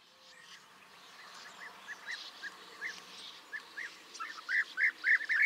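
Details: European bee-eater calling: short rolling, liquid notes near the same pitch, repeated rapidly and growing louder toward the end, over a soft hiss of background sound.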